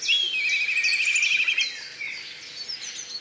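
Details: Black kite giving a shrill, wavering trill that lasts about a second and a half, followed by fainter overlapping chirps and whistles from other birds.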